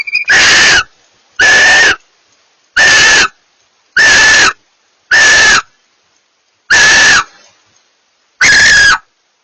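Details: Pair of barn owls communicating: harsh, hissing screeches of about half a second each, seven in a row at uneven gaps of roughly one to one and a half seconds, with silence between.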